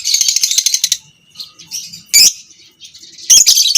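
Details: Lovebird, a fighter-type bird, used as masteran to train other lovebirds toward long ngekek: dense buzzy high chatter for one second, then scattered sharp harsh bursts with quiet gaps.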